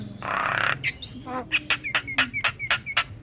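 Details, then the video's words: Calling male Javan myna, used to lure other mynas: a burst of rough, hissing noise, then a quick run of short, harsh notes, each ending in a small whistled slur, about four a second. "Burung Jalak Kebo Jantan Gacor Memanggil Teman"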